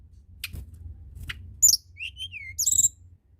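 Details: Tledekan gunung in lively song, played to stir silent birds into singing: sharp high clicks, then a thin falling whistle and a burst of very high twittering notes near the end, over low steady hum.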